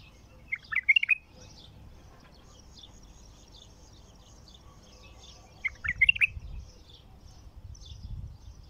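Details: Wild-caught bulbul in its first singing: two brief bubbling warbled phrases, several seconds apart, with faint distant chirps and low rumble between them.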